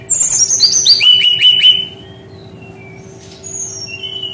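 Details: Brown-chested jungle flycatcher singing in a unique style: a rapid descending series of sharp whistled notes stepping down in pitch, followed by quieter high thin whistles; faint steady electrical hum underneath.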